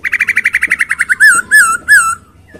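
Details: Kept masked laughingthrush in clear, rich song: a rapid run of about twelve evenly spaced chips, then three loud, full whistled notes, each rising and falling in a smooth slur.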